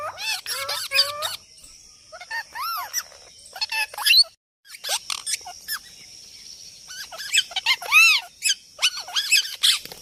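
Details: Talking parrot in its natural voice: scattered speech-like phrases with arching, whistled harmonic notes and chattering bursts, a brief silence midway, then more rising-and-falling syllables.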